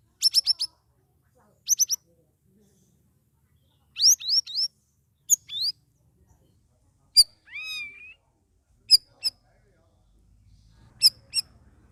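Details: Captive Straw-headed Bulbul (cucak rawis), in its second week after coming from a group holding cage, singing vigorously (gacor): short clipped bursts of high notes with one smooth rising, looping whistle, spaced by pauses of one to two seconds.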